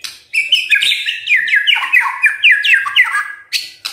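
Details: White-rumped shama singing in a dense, fast stream of clear whistles and chattering notes with downward slurs, a morning lure for silent shamas to respond and sing.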